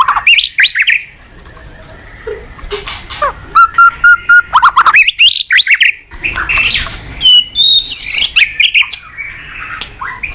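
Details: Caged white-rumped shama (murai batu) singing energetically to train other shamas: varied whistled phrases, a steady held whistle, then fast repeated clipped notes and sweeping chirps in quick succession.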